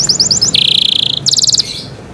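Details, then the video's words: Canary song in cenkok style: a quick high rattle, then a long steady buzzing note, followed by another fast bright trill before it fades. "CENKOK CANARI SOUND, CLEAR SOUND"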